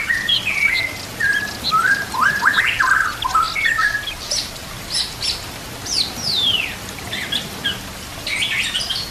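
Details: White-rumped shama master song for training caged birds, with full fill-in phrases over natural sounds and trickling water: varied loud whistled phrases, slurred notes and sharp rising and falling sweeps, delivered in quick bursts with short pauses.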